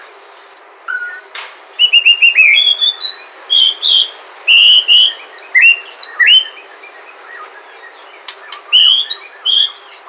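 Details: A wild white-rumped shama from Sumatra, recorded in nature, sings a rich, fast run of clear whistles, rising slurs and sharp chips, changing phrase every second or so over a quiet background.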